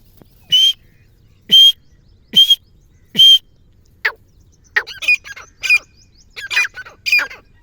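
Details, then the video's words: Female black francolin, a sound used for hunting: four loud, ringing, rasping notes evenly spaced, then a quicker run of harsh, scratchy, chattering bursts. The background is quiet. "Kala tetar ke awaz"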